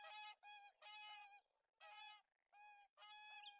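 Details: Whooper swan giving a series of loud, clear trumpeting honks, each about half a second long, rich and nasal with many overtones, repeated five times with short gaps.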